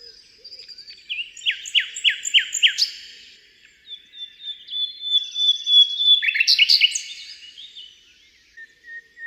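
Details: Common Nightingale song in Britain, hidden in a thicket: a string of rapid downslurred notes, a pause, then a rich phrase of whistles and trills mixing soft and loud tones with shifts in tempo.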